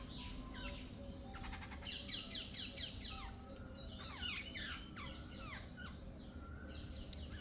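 A noisy flock of jungle babblers gives harsh, squeaky chattering calls that overlap in rapid bursts, over a low background hum.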